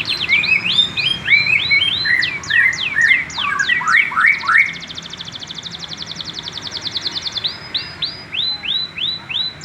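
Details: Juvenile male canary rehearsing song in varied tours: tumbling overlapping whistles, a dense buzzy rattle for about three seconds, then a series of clear repeated downslurred notes.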